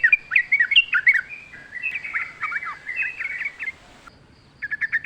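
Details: Yellow-vented bulbul in lively wild-forest song with nature sounds: a long jumbled chattering warble of quick varied notes, then after a short gap a fast run of bright chirps.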